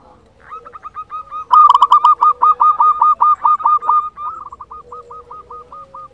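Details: Zebra dove of a local Indonesian strain singing steadily, kept as a lure to stir silent doves into song: a long chain of quick, clipped cooing notes, louder in the middle and fading to softer, evenly spaced beats, with a low hum beneath.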